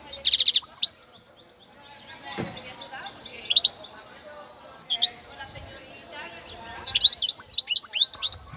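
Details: Young novice European goldfinch from Cádiz, kept to motivate other birds, singing bright tinkling twitters in two loud bursts at the start and end. Between them a quieter stretch with faint calls, a soft voice and low background hum.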